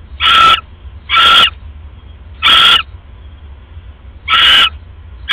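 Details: Owl, a female filmed on a live cam at 1:30 AM on 31 December 2014 while eating a rat after casting a pellet, gives four loud drawn-out hissing screeches roughly one to one and a half seconds apart.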